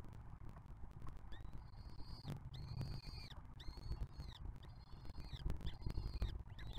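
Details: Peregrine falcon nestlings on the Museo de America, fed by a juvenile sibling from the 2023 brood, caught on a nest camera; a run of thin, high, harmonic-rich wailing calls, each about half a second, over low background rumble.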